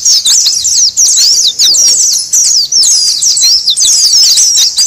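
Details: Lure sound of noisy Oriental white-eyes meant to draw in wild white-eyes: unbroken, high-pitched chattering of many thin, rapid, wavering chirps packed closely together.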